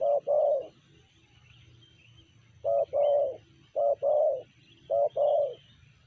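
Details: Tekukur, or spotted dove, giving the sanji style of call: paired coos, a brief note then a longer rounded one, repeated four times with an irregular pause, and faint high twittering behind.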